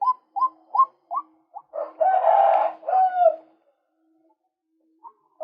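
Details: Lure recording of a male white-breasted waterhen. Five quick rising croaks come first, then a loud, harsh, drawn-out squawking burst, a falling note, and silence with two faint notes at the end.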